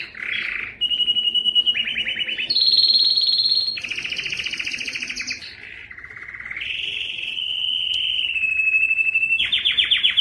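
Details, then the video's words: Powerful canary song meant to spur males into singing and prepare females for mating: a sequence of rapid rolling trills and tours at shifting pitches, some low and throaty, others high and whistled, with barely a pause. "صوت كناري مميز لتحفيز الذكر على التغريد"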